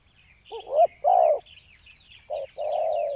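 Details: Spotted dove luring at ground level with a decoy bird: low wavering coos and a long purring note, overlaid by scattered high chirps of small birds in the background.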